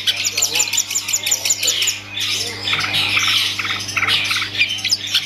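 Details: Long-tailed shrike kept by an owner, singing a rapid stream of high chirps that turn into harsher squawking, scratchy notes midway, followed by quick repeated ticks and whistles over a constant low background hum.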